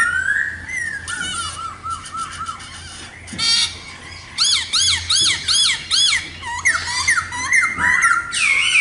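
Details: Laughingthrush (khướu mun) song: sliding whistles lead into a run of evenly spaced, arching chirps repeated about twice a second, then more whistled phrases. A low hum runs faintly throughout.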